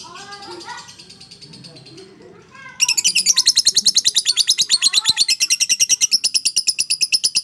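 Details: Fighter lovebird giving the long 'ngekek' chatter, intended to stir silent lovebirds; soft mixed chirps and murmuring at first, then a loud, sustained run of harsh, buzzy high notes pulsing rapidly to the end.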